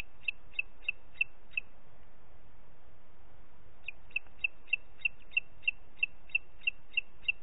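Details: Calling booted eagle in Parc Natural dels Ports, 30 June 2021, 11:01: five quick high whistled notes, a two-second pause, then a longer run of about eleven identical piping notes at a steady brisk pace.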